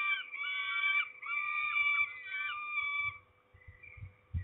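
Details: Peregrine falcon (Falco peregrinus) at Trzebież, recorded 29 May 2019 around 13:44, gives three harsh, drawn-out wailing calls, each about a second long, over a steady low hum with soft knocks after, during a delivery.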